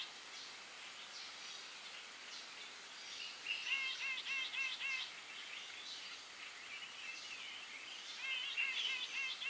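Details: Grey-eyed bulbul giving quick series of short, bright upslurred chirps in two bursts, notes tumbling several per second, against constant soft background hiss.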